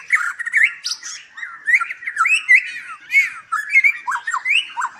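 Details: At a Palembang breeding farm in Indonesia, a caged white-rumped shama gives a rich, continuous song of looping whistled phrases and warbles, rising and falling, with scratchy high notes mixed in.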